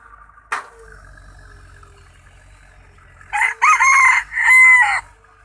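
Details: Rooster, one of two roosters, crowing a loud drawn-out cock-a-doodle-doo in several strong segments after a sharp knock and a quiet stretch.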